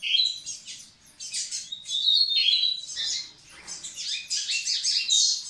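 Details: Double-collared seedeater song aimed at readying the females: an almost unbroken, rich warble of rapid chirps, trills and whistles, with a brief dip before a busy, buzzy finish.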